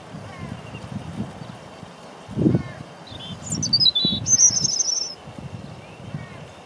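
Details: Robin song recorded unprocessed with camera audio on a windy April day in Deal, Kent, UK: gusty low wind noise throughout, with a short high twittering phrase and a wavering very high trill in the middle.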